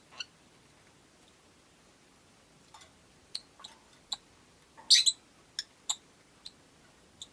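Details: Quiet stretches broken by thin, high clicks, then a loud rough double chirp and several quick sharp notes from five rosy-faced lovebirds caged by a window, over soft background hiss.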